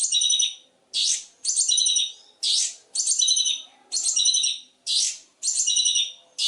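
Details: Long-tailed shrike in a training recording for other birds, loud song full of mimicked fill: harsh, high rasping bursts about a second long, repeated roughly once a second with short gaps.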